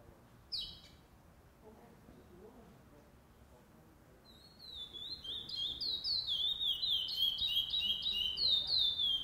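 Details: Curió (chestnut-bellied seed finch) at a singing tournament, 8 November 2020: a sharp click and quiet murmurs, then from mid-clip a fast regular whistled song of sliding notes, about three per second, growing louder.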